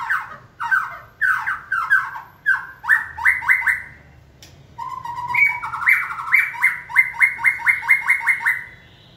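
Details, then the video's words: White-rumped shama in training, stimulated by a trainer's cues until it sings on signal; loud series of rich, rapidly repeated whistled notes in fast pulses, with a short pause midway before the bright repeated phrases resume. "Kỹ thuật kích thích lửa cho chim hót (shama bird)"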